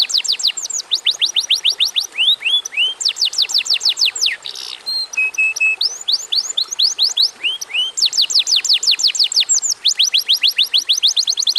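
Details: Atlantic canary in vigorous song, suitable for stimulating other canaries to sing: long runs of rapid downslurred high notes, brief buzzy and flat whistled phrases in the middle, then further fast trills.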